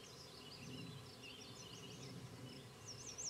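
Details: At a fence-post nest near Queen's University Biological Station in spring 2006, banded Black-capped Chickadee parents feed their nestlings. Soft, high, wavy squeaking notes rise and fall almost continuously over a faint low rumble.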